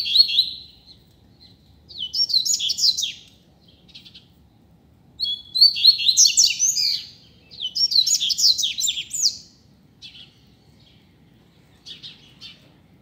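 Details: Loose double-collared seedeater singing in a street as a teacher bird: repeated high phrases of fast, tumbling whistles and twitters, about every three seconds, with softer short notes between.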